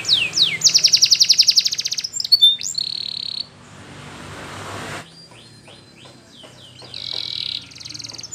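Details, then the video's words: Belgian canary training song: a fast, bright rattling trill and short whistled notes, then a steady buzzing tone, followed by a stretch of faint background hiss and a softer closing roll. "Belgian Canary Singing For Training"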